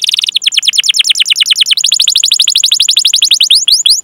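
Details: Canary song for coaxing young or silent canaries into singing: a continuous fast trill of repeated sweeping notes, quickening and rising in pitch partway through.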